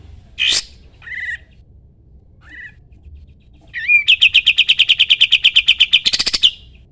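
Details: Sooty-headed bulbul singing loudly, used as a model for training songbirds: an explosive note and two soft chirps, then a rising whistle opening a long machine-gun trill of bright repeated notes ending in a buzzier rattle.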